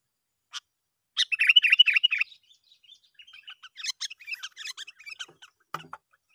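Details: Sooty-headed bulbul lure call to attract fellow bulbuls: a single chirp, then a fast rattling chatter of about a second, followed by looser, scattered chirping notes.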